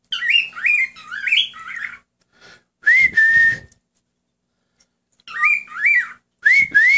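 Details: Male cockatiel kept as a pet whistles along with its owner at home, a run of quick warbled up-and-down notes, then flatter whistles, then more looping phrases after a pause.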